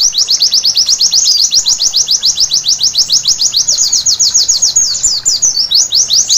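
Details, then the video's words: A white-eye sings at night in a recording meant to spur birds into full song: rapid, even strings of high slurred whistles, near four per second, shifting briefly into a rising twitter near the end. "Terapi Pleci Malam Hari Bikin Gacor seketika!!!"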